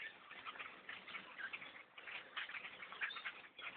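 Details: A huge flock of black birds overtaking a bow hunter's tree stand, giving a continuous wall of harsh, squeaky chatter from countless birds calling at once.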